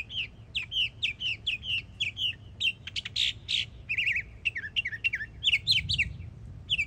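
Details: Yearling Northern mockingbird in Florida in full song, repeating short bright chirped phrases in quick sets, then switching to buzzier notes and new whistled patterns, over a faint low rumble.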